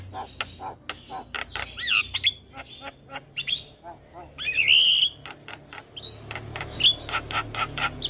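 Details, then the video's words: A young black-winged starling sings a full isian song: quick ticks and clicks mixed with squeaky whistles and one loud, drawn-out buzzy whistle, over a low background hum. "Masteran Jalak Kebo Full Isian Pas Buata Jalak Kebo Muda"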